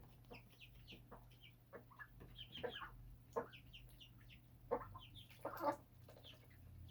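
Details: Birds raised on a home rooftop chirping: short, scattered clucking chirps arrive irregularly, a few louder bursts near the end, all over a steady low electrical hum.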